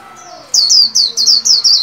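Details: Caged white-eye in training, singing for the new year 2021: a rapid series of six high, downslurred whistled notes after a faint thin note, each note sharp and bright, in a quiet room.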